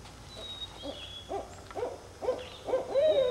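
Barred owl giving a rhythmic run of low, gruff hoots that grow louder, ending in a drawn-out, sliding note. A faint high whistle sounds in the background.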